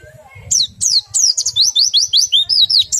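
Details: Oriental white-eye singing ngerol nembak to set other white-eyes singing: a fast run of sharp, down-slurred high chirps, about eight per second, each starting as a piercing note and dropping, with a faint low rumble behind.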